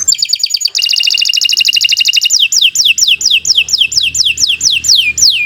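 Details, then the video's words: Canary in strong, persistent song, used as a model for other canaries: a very fast, dense rolling trill, then a measured series of loud, sharply falling whistled notes. "Kicau Burung Kenari 80 II GACOR PANJANG"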